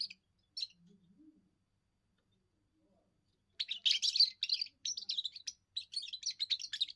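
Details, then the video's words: First song of a young European goldfinch, a call of territory defence and female attraction: two brief high chirps, a quiet spell, then three seconds of rapid, jangling twitters and buzzy trills. "first song of a young goldfinch amazing wonderful singing"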